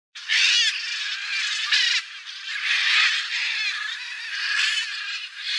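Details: A flock of wild Blue-and-yellow Macaws returning after feeding on soybeans left by a harvester in a Cerrado farm field: dense, harsh, raucous squawks overlapping continuously, with louder bursts near the start and middle.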